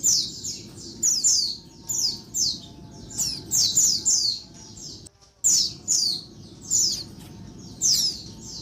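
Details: Repeated high, descending squeaky notes from a female Oriental white-eye, whose noisy daytime calling is used to rouse males, arriving in short rhythmic bursts with one brief silent gap midway.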